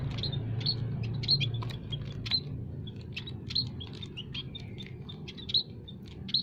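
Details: Aviary munias, several kinds mixed, calling to lure wild birds for trapping: a busy stream of short high tweets and clicks, irregularly spaced, with a constant low rumble behind.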